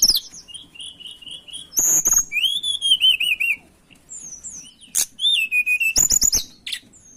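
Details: Mountain tailorbird song played to lure birds: a series of clear, high whistled notes repeated in short runs, a long wavering whistle, and loud clicking bursts between phrases.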